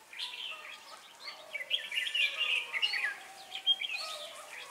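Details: Red-whiskered bulbul, used as a lure to trap wild birds at Ba Thá on 18 December 2016. Rapid chattering, whistled notes rise into a loud bubbling burst midway, then scattered chirps continue.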